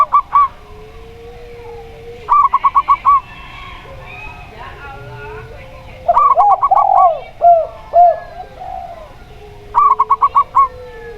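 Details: Local zebra dove with a clear, open voice, set against a spotted dove: quick stuttered bursts of five or six high coo notes recur every few seconds, mixed with lower, rounder arched coos and a faint hum.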